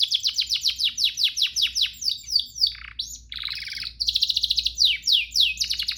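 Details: A canary delivers master song meant to teach canaries to sing: quick repeated downslurred notes, a dipping buzzy phrase, a harsh rattle, then bright rapid trills and sweeping notes.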